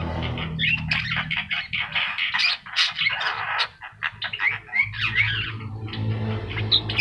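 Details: Lively Javan myna (jalak kebo mata kuning) song used as training master: tumbling stream of grating chatters and brief whistles, a short pause midway, with low hum in the background.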